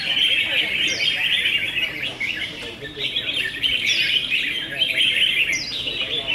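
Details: Red-whiskered bulbuls singing in a contest, round six; a dense, continuous chorus of bright, chirpy, warbling phrases overlapping throughout, with occasional higher whistled notes rising above the mass of song.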